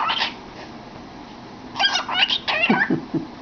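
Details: Cockatiel chattering with its head in a cardboard tube: one short note, then a run of squeaky sweeping chirps, some dipping into lower throaty tones.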